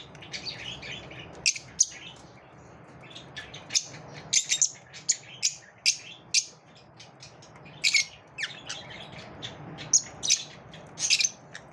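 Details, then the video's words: Lovebirds during a competitive moment give repeated sharp, high chirps and short squawks, scattered irregularly, sometimes in quick pairs, over a low room hum. "Love birds also have competitive moments"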